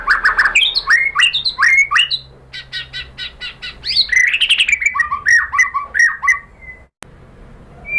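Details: White-rumped shama (murai batu) song used as a lure to provoke other shamas into singing: loud varied whistled phrases, rising slurred notes repeated in quick series, then rapid clipped notes and descending whistles.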